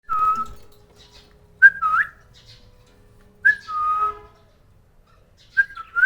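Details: A cockatiel (Nymphicus hollandicus) from a breeding pair gives clear whistled phrases, each a short slurred note rising then falling, about every two seconds.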